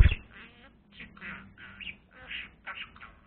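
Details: Budgerigar playing with a blue pen, giving short scratchy chattering calls in separate bursts, some with quick rising notes, spaced by brief pauses.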